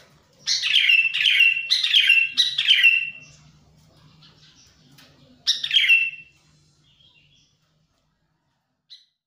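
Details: Wild sooty-headed bulbul song, suited to luring wild birds: four rich, bubbling phrases in quick succession, a quiet pause, then one more phrase, with faint softer notes between.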